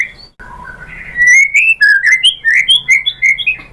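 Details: Lure song of murai batu, the white-rumped shama, aimed at getting other shamas to sing: soft low notes building into a rapid sequence of clear, rising whistles.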